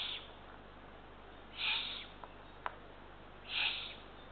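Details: Eurasian eagle-owl nest, night of 23 June 2023, with three ringed chicks fed small rodents. Two rough hissing bursts two seconds apart, with a couple of faint ticks between them.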